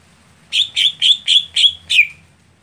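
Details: Greater green leafbird, a sound for setting a contest bird that starts late. Six buzzy, bright notes come in a quick even series of about three per second, the last one dropping lower.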